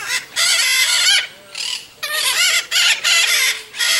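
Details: Red-shouldered macaw (Diopsittaca nobilis), a very noisy species, giving a run of loud, harsh, grating screeches, about seven raspy bursts in four seconds, some long and some clipped short.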